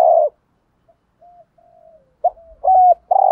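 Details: Spotted dove cooing in the 'thổ pha gù thúc' style meant to stimulate a decoy bird: a short loud coo, soft trailing murmurs, then a clipped note, a flat coo and a final strong coo.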